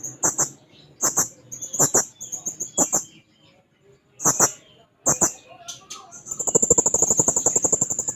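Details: Blue-crowned hanging parrot seeking a rival: paired shrill, very high notes repeated about once a second, leading into a fast, continuous buzzy trill of high notes.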